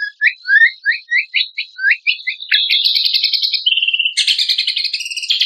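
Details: Kecial kombok (cucak kombok) song used to train contest songbirds: a run of descending slurred whistled notes about twice a second, then a dense, fast, buzzy high trill and a steady piping note before more rattling trills.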